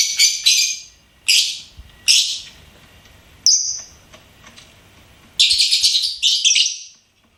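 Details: Chirping pet lovebird giving rapid shrill, rasping chirps in clusters, with one clear thin whistled note in the middle and a final run of quick buzzy calls.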